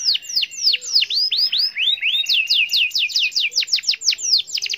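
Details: Canary in full song, a long rolling phrase meant to call a rival: high sweeping downward whistles repeated in series, then accelerating into a fast rattling trill of rapid notes, loud and clean.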